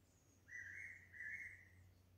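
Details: A fairy pitta calls plaintively from a pine at 147 m elevation on Nojasan, Korea, giving two clear, slightly rising whistled notes in quick succession, mid-pitched, over faint background hum.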